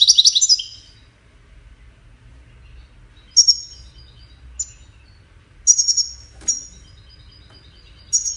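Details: Scattered goldfinch song phrases, a courtship and communication behaviour: short high twittering bursts separated by silences of one to two seconds, with one sharp click in the middle.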